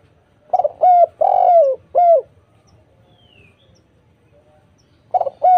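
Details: Lively spotted dove cooing used as a lure to prompt other doves to answer: a phrase of four deep, soft coos, the third long and sustained, then a new phrase beginning after a short pause, with little else audible.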